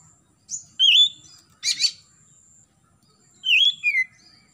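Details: Oriental magpie-robin (Copsychus saularis) morning song, clear sweet whistled phrases with a harsh burst and rising and falling notes in short bursts about a second apart, played to encourage young birds to start singing.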